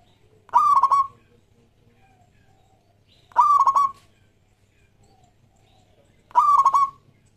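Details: Zebra dove, local strain, singing vigorously as a lure for other doves: three evenly spaced phrases about three seconds apart, each a rising note breaking into a fast soft trill of coos, over a faint hum.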